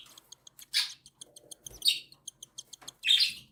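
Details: Cockatiel chicks, one newly hatched and others seven days old, begging while their mother feeds them in captivity: harsh raspy bursts high in pitch, three loud ones spaced about a second apart, with a steady train of faint ticking clicks between.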